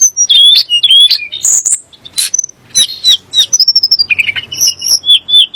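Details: Song of a Sunda blue robin, said to provoke magpie-robins and shamas: varied whistled notes mixed with harsh buzzy bursts, ending in a fast stuttering series of short notes.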